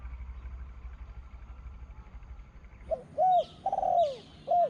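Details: Spotted dove, a contest bird with a small voice, calling in the two-kuk, ku-ang style at a dove calling contest. After a quiet low hum, a phrase of four cooing notes: a short note, two longer notes with the last arching and falling, then a short note. Faint chirps sound above.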